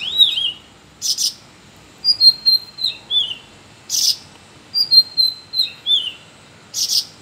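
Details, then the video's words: A Sooty-headed bulbul gives varied short, bubbly whistled phrases that dip and rise, with a harsh rasping burst about every three seconds; the recording is used as a tutor song for training other songbirds. "Cucak rawis gacor suara variasi"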